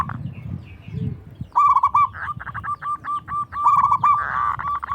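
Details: Local zebra dove with a large, loud voice, singing to draw answers from rival doves: after low background noise, bursts of rolled trills and fast staccato coos follow, one phrase ending in a rough, buzzy section.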